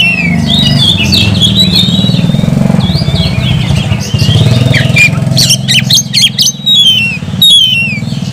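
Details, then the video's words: Oriental magpie-robin in full song: twisting whistled phrases and sharp rising and falling notes, competing with a steady low engine rumble through most of the recording. "kacer gacor nagen sampe leklok"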